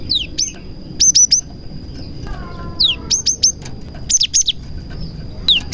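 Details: Gelatik batu, the cinereous tit, singing with prinia mimicry as a lure for other tits; descending swept whistles followed by triplets of sharp high notes, repeated every second or so, with a steady thin whine behind.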